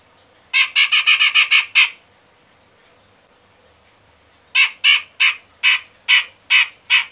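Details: Cucak jenggot of the Medan type, played as a lure to get sluggish caged birds singing: harsh, scratchy squawking notes, first a fast burst of about seven, then a pause and seven more spaced roughly every half second.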